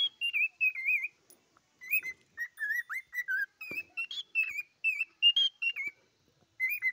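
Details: Singing cockatiel producing a steady run of short, bright whistled notes, each slightly wavering or bending, grouped in quick phrases separated by short silences, with a few faint clicks between notes.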